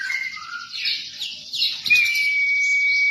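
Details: White-rumped shama song, offered as tutor material for training captive shamas: rapid high chattering, sliding phrases, then a long steady whistled note held for over a second at the end.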